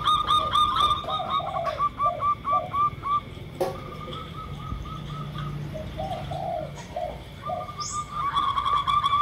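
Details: Cooing series of a local zebra dove in a lure recording: chains of brisk, evenly pitched notes broken by a sharp click, with lower mellow coos and a brief higher chirp from another bird.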